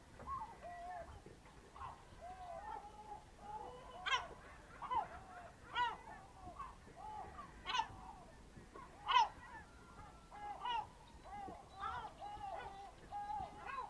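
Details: Birds in early morning at a fishing harbour on the Ionian Sea near Amvrakikos National Park, Greece, 27 March 2026 at 07:40: many overlapping mewing, squealing calls with bent, chevron-like notes and several louder sharp cries, steady chatter throughout.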